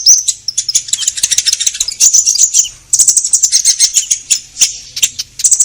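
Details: Orange-headed thrush song as a lure for caged birds: a continuous, high, jumbled warble of quick scratchy notes and thin whistles, with brief breaks.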